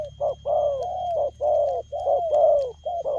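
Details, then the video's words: Rapid cooing from a spotted dove in the quick lèo gù style, with a near-continuous run of mellow hooting notes, alternating short and drawn-out coos that slur gently downward, with almost no gaps. "Nết chơi nhanh lẹ, gù tốc độ"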